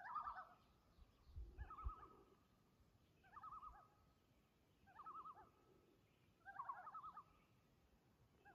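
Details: Loon call and reply at Lake Vermillion: quavering, laughing tremolo bursts about every one and a half seconds, linked by a steady mid-pitched tone, over a low rumble.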